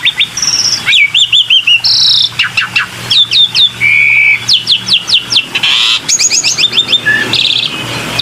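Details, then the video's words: Black-winged myna lure recording: dense, varied chattering with clipped high whistles, short buzzy phrases, a steady sustained tone and bursts of rapid rising chirps, with low traffic noise underneath. "PANCINGAN SUARA BURUNG JALAK PUTIH"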